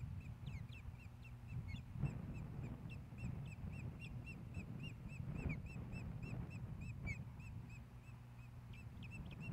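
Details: Osprey nest in Hellgate Canyon, Missoula, Montana, 15 May 2016, male bringing fish to the female. Soft, continuous patter of thin high chirps throughout, with a few louder ones, against steady low rumbling.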